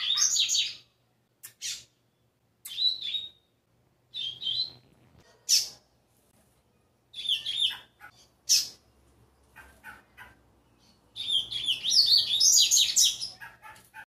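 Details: Caged young rusty-collared seedeater, six months old and in training, delivering first notes of Tui Tui song: separate high chirps and short warbled bursts spaced about a second or two apart, ending in a rich, sustained twittering run.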